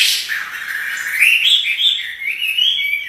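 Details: Chinese hwamei kept in captivity sings a short, steady stream of clear whistled notes that wander up and down in pitch, each sliding smoothly into the next.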